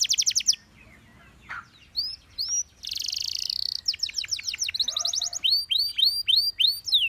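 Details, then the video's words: A Gloster canary sings high, fast rolls of repeated notes, then a buzzy passage and runs of bright, tightly spaced down-slurred chirps, a song said to coax other canaries into singing. "Gloster Canary Seducing Friends to Sing!"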